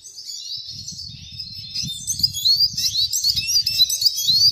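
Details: Red siskin singing a high, rapid twittering song of thin slurred notes that grows louder after two seconds, with soft low rumbling underneath.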